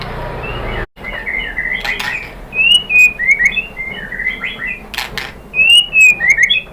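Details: Provoking lure song of the white-rumped shama (murai batu): varied whistled notes and short chirps, some sliding upward, delivered in quick uneven bursts about three to four per second, with occasional sharp clicks.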